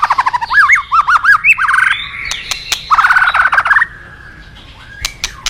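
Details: White-rumped shama from the forest giving rhythmic looping whistles repeated several times per second, a rolling warbled trill, then softer notes and a final short upslurred whistle.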